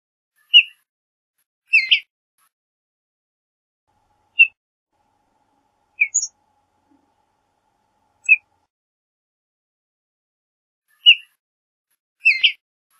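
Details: Sparse soft chirps from a western bluebird: single and doubled notes scattered every one to three seconds, some paired with a fainter higher note, in an otherwise quiet setting.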